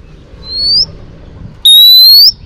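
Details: Female Oriental magpie-robin whistling to stimulate males, for training: a soft upward-slurred whistle, then after a pause a loud, clear, longer rising whistle, over quiet low background rumble.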